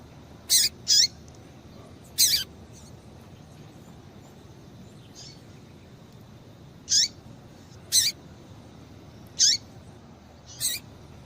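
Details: Female double-collared seedeater calling to stimulate a male: sparse, sharp, high chips, some paired, with long quiet gaps between them.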